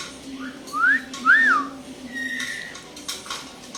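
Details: Common hill myna imitating speech: a faint note, then two bright whistled slurs, rising and arched, followed by a softer level whistle, with a low room hum behind.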